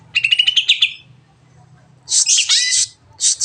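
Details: Greater green leafbird giving a long song used to stimulate other birds to sing: a fast chattering trill, a pause, then dense scratchy bursts with a low hum underneath.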